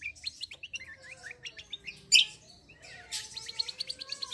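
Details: Cucak kombo, the Black-winged myna, singing in rolling, combative style: dense run of short rising chirps, a sudden loud harsh note midway, then a rapid string of clipped whistled notes.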